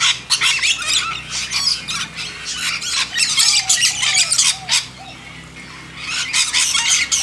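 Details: A noisy backyard feeding of lorikeets: a steady stream of piercing, scratchy screeches in rapid irregular bursts, briefly easing midway before building again.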